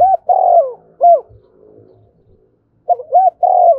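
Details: Decoy spotted dove calling to lure wild doves: a clipped coo, a long buzzy note sliding down, a falling single coo, quiet gap, then the next phrase starting with two bouncy coos and another drawn-out note.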